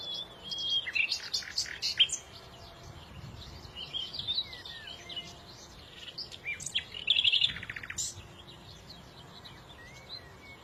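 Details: Small birds singing, a chorus of several overlapping voices: high thin whistles and short chirps, a few slurred notes, and a quick buzzy rattle near the middle, over a steady low background hiss.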